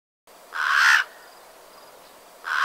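A crow gives a harsh, hoarse caw lasting about half a second, then begins a second caw nearly two seconds later.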